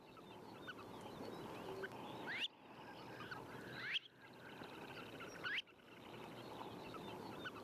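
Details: Red phalarope, a storm-blown autumn migrant on the French Atlantic coast, floating on the sea: short, sharp, rising chirps about every one and a half seconds over a steady rush of wind or surf.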